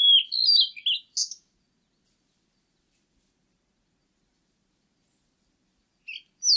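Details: Blue-and-white flycatcher singing: a clear whistled phrase of several descending and rising notes around mid-high pitch lasting just over a second, then a long silence before another phrase begins at the end; no other sounds.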